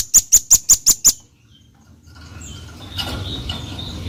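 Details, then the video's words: Velvet-fronted nuthatch, called rambatan paruh merah, giving six sharp high chips in quick even succession over about one second, then silence followed by low rumbling background noise and faint scattered sounds. "Suara Khas Burung Rambatan Paruh Merah Gacor"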